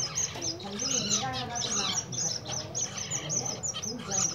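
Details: Several zebra finches heard in winter: rapid, overlapping nasal beeps and tweets, high-pitched and clipped, filling the whole stretch with a busy chatter over faint low hum.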